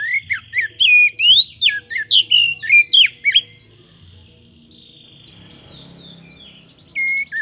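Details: Magpie-robin song used as a lure for other birds: a rapid burst of varied loud whistles and chattering notes for over three seconds, then near quiet, ending with one clear whistle.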